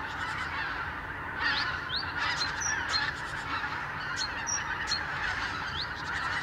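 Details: Every morning vast numbers of geese, having arrived from Siberian breeding grounds in November, leave their sleeping places for Lower Rhine meadows. A continuous mass of honking is heard, punctuated by sharp upward-slurred yelps.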